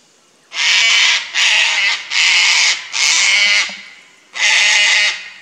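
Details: Five loud, rasping screeches in quick succession from Sulphur-crested Cockatoos, a nesting pair disturbed by a Lace Monitor in an adjacent tree, Fraser Coast, Queensland, Australia.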